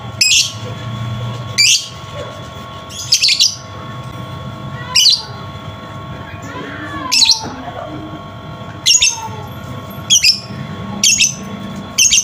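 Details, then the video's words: Lovebird recording used to prompt a silent lovebird to sing: harsh high chirps, sometimes paired, at uneven intervals, with some softer warbling in between and a low steady hum. "pancingan Lovebird macet bunyi"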